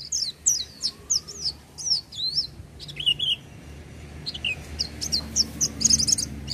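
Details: Oriental white-eye singing in full voice: rapid high sweeping whistled notes in bursts, a lower slurred phrase near the middle, then a dense run of bright chattering notes at the end, over a faint low hum.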